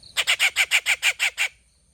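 Rufous treepie giving a harsh, rasping chatter of eight quick notes at about seven per second, then a faint background hiss.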